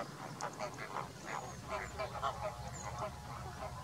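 Greater flamingos keep up a steady goose-like honking and gabbling, several birds calling at once in quick, overlapping bursts, over a low rumble of background noise.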